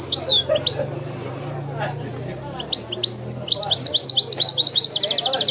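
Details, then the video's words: European goldfinch in the Wedani song style: a few bright swooping notes, a quieter gap, then accelerating twitters that build into a fast, evenly repeated trill over a low hum. "chant de chardonneret تغريد الويداني الأصيل"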